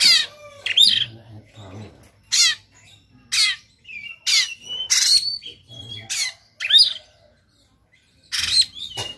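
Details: White-rumped shama persistently fighting with its tail spread, giving harsh 'shot' song: short loud bursts of buzzy, rapidly sweeping high notes every second or so, with brief whistled slurs between and a faint low hum underneath.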